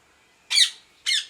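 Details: Parrot giving two shrill, piercing screeches about half a second apart. Each is a sudden, high, noisy burst that fades away as it drops slightly in pitch.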